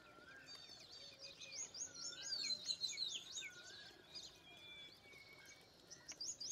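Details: Indian pied myna uttering a fast string of high, hooked chirps and a clear whistle, followed by quieter scattered notes and a few long thin tones.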